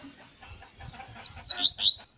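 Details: Double-collared seedeater, kept caged, passing on its song. Quiet low rumbling opens, then a quick run of high, thin downslurred whistles builds in loudness over the final second.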